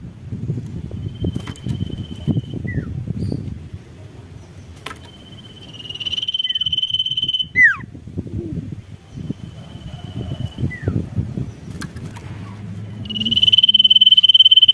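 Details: Sirtu calling to provoke rivals: faint trills and falling notes build to a loud downslurred whistle, then more trills. The clip ends on a strong, fast, buzzy pulsed trill, with low background rumble throughout.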